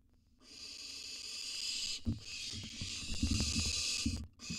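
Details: Wild barn owls at a monitored nest box during feeding time: long, broad, breathy hisses in surging bursts, broken by short gaps, with scratchy clicks and low shuffling thumps underneath.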